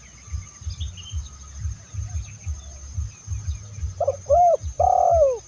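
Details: Spotted dove cooing to draw in other doves, recorded in Indonesia: low steady thumping and a few faint high chirps, then near the end a short coo, an arched coo and a long falling note.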